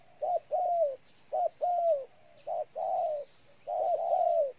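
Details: Spotted dove in Ninh Thuận, Vietnam, giving paired coos, short then long and slightly falling, repeated about once a second, with faint high chirps of other birds behind.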